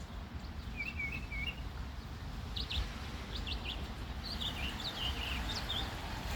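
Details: Spring song of a male bird trying to attract a mate, recorded near a car trunk; quick high chirps and downslurred whistles in loose clusters, growing busier toward the end, above constant low engine-like hum.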